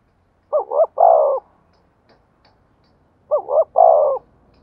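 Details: Spotted dove decoy giving its 'giọng thổ' song. Two identical phrases about three seconds apart, each a quick two-note hoot followed by a longer resonant coo. Otherwise quiet.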